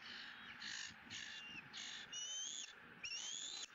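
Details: Bald eagle chick squealing with joy at feeding, second fish of the day, Southwest Florida nest, 20 April 2017. Several harsh, high squeals, the last few drawn out and rising into long thin whistles.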